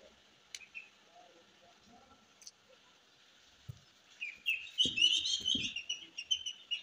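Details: Ring-necked parakeet, a green ringneck parrot, mostly quiet with a few faint ticks at first, then bursting into loud, rapid, high-pitched chattering and squeaky notes that carry on to the end.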